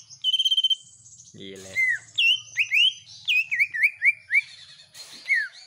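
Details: Kept greater green leafbird in full, energetic song mixed with common iora-style sounds: a fast trill of clicks, a steady high whistle, then a run of sharp downslurred and upslurred whistled notes.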